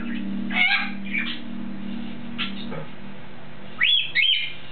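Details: A pet female African grey parrot on top of her cage, vocalizing toward a person below. Soft mumbled sounds are followed by two clear, rising whistles, with a constant low hum behind them.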